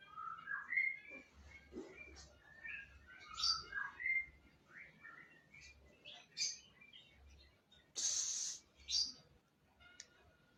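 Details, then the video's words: Orange-headed thrush song: varied warbled and whistled phrases, rising and falling, given in short bursts over several seconds, with a brief hiss of noise near the end. "burung anis merah"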